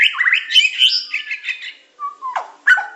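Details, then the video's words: White-rumped shama of the Medan type singing a training song: a dense warbled phrase of rapid mid-pitched notes, followed by a few separate sliding whistles. "Materan burung murai batu medan super-pancingan macet-tembakan-isian"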